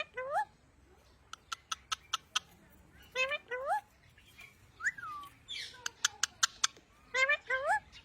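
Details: Talking parrot, Mian mithu, a pet bird: short rising and falling whistled calls in bursts, some paired with sweeping harmonics, between sharp clicking taps.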